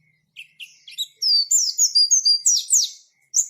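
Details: A white-eye's song starts with a few soft, separate chips, then builds into loud, sweeping high whistles. Some notes are drawn out, others slur down, before the song breaks off and one last note sounds.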